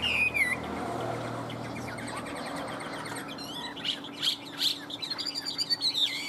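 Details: A captive Chinese hwamei in strong singing form sings high, clear whistled notes and slurred, rising-then-falling phrases with a few quick chirps, over a steady low electrical hum and background rustling.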